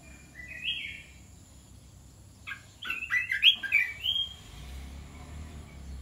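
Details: Red-whiskered bulbul kept in a cage, mixing 'dok taeng' and 'ta daeng' song styles: one short rising whistle, a pause, then a burst of clicks and lively warbled, slurred notes.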